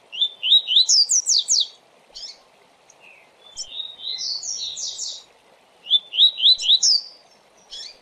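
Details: Double-collared seedeater giving the fast Tui Tui song for training: rising whistled notes and rapid descending sweeps in three phrases, the middle one slower and more drawn out, with occasional chips and a low background hum.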